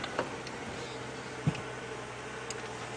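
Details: A steady low hum runs throughout, broken by a few soft ticks and clicks, with no animal voice audible.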